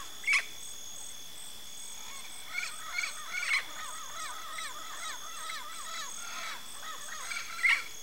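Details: Yellow-faced parrot, a Brazilian endemic of Cerrado and dry Caatinga woodland: repeated short nasal notes in quick series with a few louder sharp squawks, against a steady high hum.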